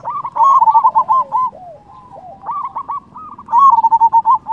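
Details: Zebra dove, local bird with a big voice, cooing to make rival doves respond; rapid rolling coo phrases, a softer drawn-out middle section, then another fast bubbling burst.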